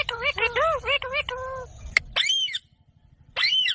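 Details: Green pet parrot chattering in quick arched harmonic syllables, followed by two loud, rough, high-pitched squawks separated by a short silence.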